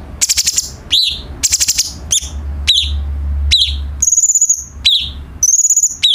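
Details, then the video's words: Cucak cungkok bulbul tutor song for training captive birds: rough stuttered bursts, then clear arched chirps and high thin trills in quick alternation, with a low hum underneath. "KICAU BURUNG CUCAK CUNGKOK , SI GURU VOKAL"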